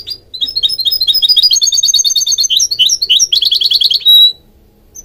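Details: Goldfinch hybrid singing a fast, bright, high-pitched song: chattering runs of quick repeated notes and buzzy trills for about four seconds, ending in a brief sustained pure whistle, then near silence.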